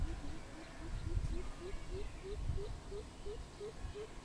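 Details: Greater coucal recorded 16 April 2020 gives a steady series of deep, hollow hoots, about three a second, creeping slightly higher in pitch, over a low rumble of background noise.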